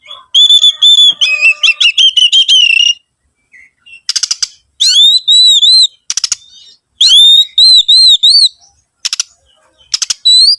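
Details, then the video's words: Oriental magpie-robin lure song to set other birds singing: fast trilled and stuttering whistled notes, harsh rattling bursts, and repeated bouncing upslurred whistles in close groups. "PANCINGAN SUARA BURUNG KACER"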